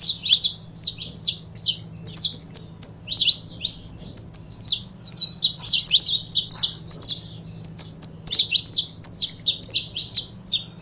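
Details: Saffron finches, a pair, singing steadily: a long, lively series of high, sharp chirps and short trills, repeated rapidly and evenly across the whole stretch. A soft low hum is in the background.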